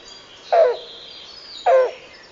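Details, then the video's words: Yellow-billed Cuckoo giving two short, hoarse, low cooing notes about a second apart, each slightly falling, over faint high insect hiss. "Listen for its hoarse cooing song and knocking calls."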